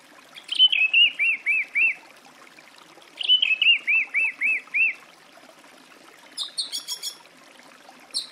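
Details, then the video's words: A song thrush sings two phrases of five or six repeated clear, looping notes, each phrase opening with a higher note, then a brief higher scratchy burst. "Голоса птиц. Дрозд певчий"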